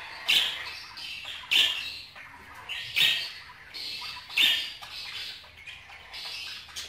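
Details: Budgerigars chattering, with loud harsh squawks recurring roughly every 1.3 to 1.5 seconds over a steady background of high warbled twittering.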